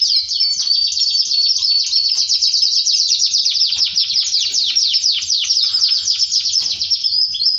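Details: Singing canary, the song said to lead a male to mate with its female; unbroken high, fast warbling made of rapid repeated downward-sweeping notes and rolling trills.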